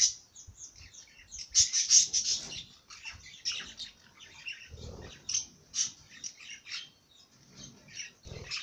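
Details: Songbird delivering quick, bright high twitters and trills, an intense burst early, then scattered chirps at an uneven pace, with occasional low thumps in the background.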